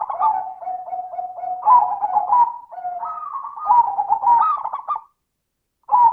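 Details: Zebra dove with a clear 'crystal' voice, played as a lure for doves that rarely sing: a long, almost continuous stream of pulsed coos that switch between higher and lower pitches. After a brief pause, a new phrase starts.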